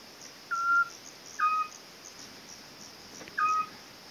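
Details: Eurasian scops owl giving clear, short, level whistled notes, three in about four seconds at uneven spacing, over a steady background hiss.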